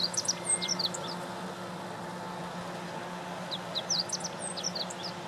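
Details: Song of a meadow bunting, April 2017, Lake Teganuma; a fast run of thin, high notes opens the recording and a similar phrase returns about four seconds later, with a faint low hum throughout.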